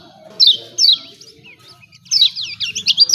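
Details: Lemon-bellied white-eye (kecial kuning), 'ciak ciak' tutor sound to spur birds to sing: two separate high downslurred notes, a thin short one, then a quick burst of shrill twittering chirps.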